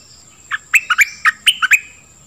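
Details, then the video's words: Brief nok dok taeng bird song, used to train young birds and rouse them; about seven quick, clear chirps, some sliding downward, in a single short run. "เสียงนกดอกแตงEp.2 ใช้หัดลูกนก เปิดให้นกคึก!!"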